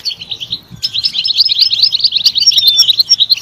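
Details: European goldfinch delivering a quick, jingling song of bright, twittering notes, starting softly then breaking into a dense, sustained run of slurred chirps.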